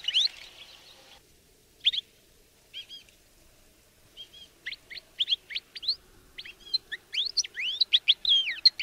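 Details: Male Atlantic canary giving scattered chirps that build into a fast run of rising and falling whistled notes, with a faint low hum and brief noise at the start.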